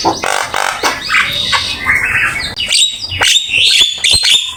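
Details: Lively Javan myna song packed with varied elements, kept as training master material: rapid rasping bursts, then clearer whistles and buzzy notes in quick succession.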